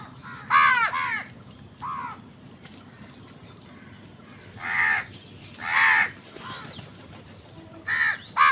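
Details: Harsh, nasal caws from crows competing with wild birds for food, coming in irregular bursts, some doubled, against a steady low background rumble.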